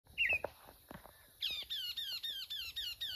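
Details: Mockingbird singing: a few squeaky, scratchy notes, then one sharp downslurred whistle repeated about eight times in quick, even succession.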